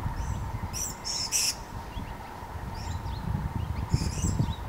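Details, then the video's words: Purple-crowned lorikeets feeding on nectar in Numurkah, Australia, in 2015 give short, shrill, high-pitched screeching bursts in a couple of clusters, over a steady low rumble of wind and a faint hum. "Purple crowned Lorikeet"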